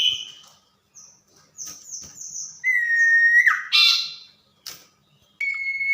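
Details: Tame captive common iora singing vigorously at night: a varied run of whistled notes, short high slurs followed by a longer steady mid-pitched whistle, a dropping note, a buzzy burst and a final sustained whistle.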